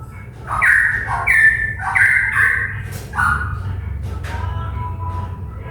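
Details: Papuan cuckoo-shrike, an endemic bird of Papua, in full song with a continuous chattering style likened to the straw-headed bulbul. Loud, rich, slurred whistles in short phrases, stepping between two pitches, over a low background hum.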